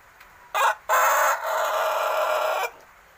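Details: Adolescent Pelung rooster aged about six months, only beginning to crow: a brief rough opening burst, a short gap, then a sustained harsh crow of roughly 1.7 seconds with rich harmonics, fading into quiet background.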